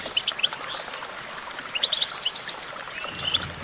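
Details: Goldfinch twittering song, somewhat softer. Quick high chirps and tinkling notes tumble over one another in a continuous chatter, with faint low noise.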